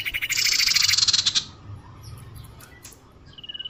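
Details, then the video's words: Iora lure call meant to attract birds: a loud buzzy rattling burst lasting about a second, then quieter pauses and a faint pulsing whistle at the end. "suara pikat burung sirdum/sirtu/cipoh"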